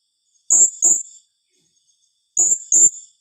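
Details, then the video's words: Serindit, the blue-crowned hanging parrot, in the 'tembakan rapat' calling style: two pairs of sharp, shrill, very high-pitched notes, each pair quickly doubled, separated by about two seconds of silence, carrying a harsh lower buzz. "Suara serindit tembakan rapat"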